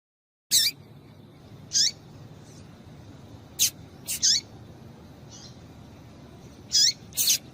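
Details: Caged female rusty-collared seedeater calling to stimulate a male: a strong, clean high chip with a descending curved tail, then separate notes or close doublets spaced a second or more apart, over low steady hiss.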